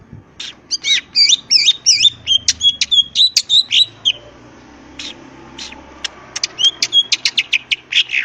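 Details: Greater green leafbird singing busily: high, tangled twittering phrases packed into quick bursts, sharp clicks, and a second rapid run of bright notes after a short pause.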